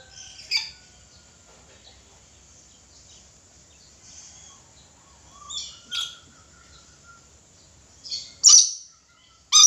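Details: Red lory giving short harsh screeches at irregular intervals, a few brief bursts spread over the clip with quiet gaps between them; the loudest screeches come near the end.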